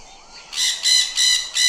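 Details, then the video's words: Parrot calling in four loud, harsh squawks at an even pace, each about a fifth of a second long, coarse and grating, after a faint soft note at the start. "Parrot Voice & Original Sound"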